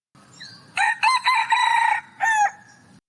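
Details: Wild red junglefowl crow, ancestor of the domestic rooster's crow, ending with less "oomph" than the domestic version: a harsh, rooster-like phrase of about a second in quick pulses, then a short clipped final note, after faint soft notes.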